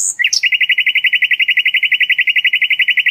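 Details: Sikatan londo flycatcher tutor song for training songbirds: after a brief high slurred note, a rapid, steady rattle of bright mid-high chips runs without pause for about three seconds, evenly spaced and loud.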